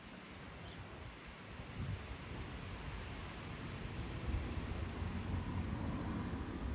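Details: Steady rain patters throughout, with low rumbling that swells slightly toward the end and no animal calls.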